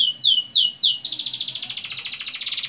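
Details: Canary song used to coax young canaries into singing: three loud, sweeping downslurred whistles, then a rapid, even, high rolling trill pulsing steadily to the end.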